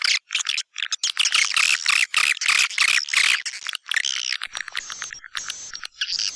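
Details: White-nest swiftlet lure call for swiftlet houses, tested in East Kalimantan: dense, rapid high chirping and twittering in quick bursts with brief gaps, growing thinner and more buzzy toward the end.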